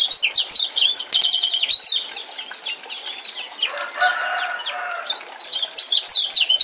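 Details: Rapid ciak-ciak chatter from a male lemon-bellied white-eye of Lombok, meant to provoke a quiet male: fast high chips with a brief trilled buzz, then a lower warbled passage before the chips resume.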